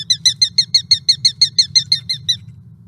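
A Sharp-shinned Hawk gives a quick, high kik-kik-kik series of about fourteen sharp notes, roughly six per second, over a faint low hum.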